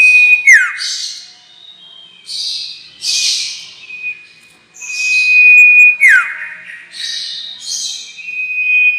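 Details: Trapping lure for the sirtu: repeated buzzy, wheezy high phrases and chirps around a constant thin whistle, with two sharp descending sweeps about five seconds apart.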